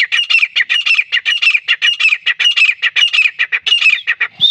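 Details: Grey francolin, a Pakistani hunting lure call: a continuous run of loud, harsh, squeaky syllables, rising and falling in quick succession, ending on a clear high whistled note.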